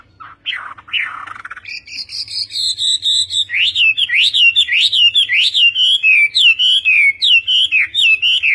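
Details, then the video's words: Chinese hwamei singing a long varied phrase: a few rising whistles, a sustained high note, then rapid repeated up-and-down whistled notes about four per second, loud and continuous. "HỌA MI TÂY - TIẾNG HÓT VIỆT"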